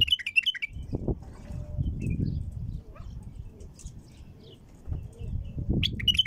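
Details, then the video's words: A female bulbul sings to get other bulbuls singing, giving quick, bright chirping notes in short bursts at the start and end, with low rumbling background noise in between. "تغريد بلبل أنثى لفتح البلابل القافله"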